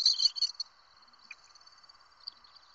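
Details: Barn owl chicks, five in a brood in California, give a half-second burst of harsh, raspy hissing, then fainter scratchy calls that trail off over a quiet background.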